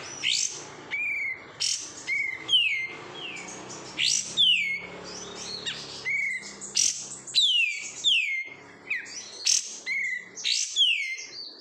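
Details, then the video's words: Cage-kept oriental white-eye (kapas tembak), raised from a wild-caught bird, sings steadily: thin high chirps and repeated falling whistled slurs in quick phrases, with short gaps, over twelve seconds. "menikmati suara kapas tembak KG"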